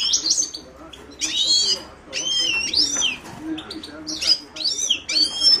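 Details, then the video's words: Himalayan goldfinch song, nearly continuous here: lively, bright twittering with swooping whistled notes and quick trills running one into the next, barely pausing. "تغريد حسون الهيمالايا chant de chardonneret hymalaya"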